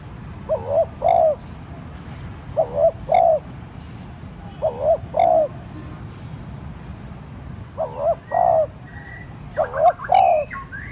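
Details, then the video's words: Decoy spotted dove cooing lightly to coax wild doves into calling; five paired phrases of low soft coos, each a short note followed by a longer one, spaced about every two seconds, distant small birds chirping. "cu gáy mồi cây thúc nhẹ kích cu bổi dễ gáy. tiếng cu đất gáy thúc"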